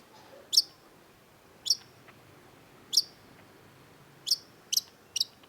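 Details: Long-tailed shrike (cendet) giving sparse, sharp high notes, each a sudden downstroke with a brief whistled tail, spaced irregularly about one to one and a half seconds apart, ending in a quicker cluster.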